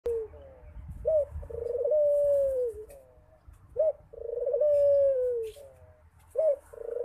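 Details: Barbary dove calling frequently: a short rising upslurred note, then a long rolling coo that holds steady and sags at the end, repeated about every two and a half seconds in a quiet setting.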